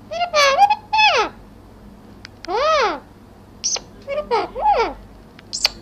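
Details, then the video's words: Talking parrot producing a run of speech-like syllables: harmonic rising and falling tones, a drawn-out arched note near three seconds, then quick clipped chattering phrases and squeaks, in a quiet small room. "Talking parrot"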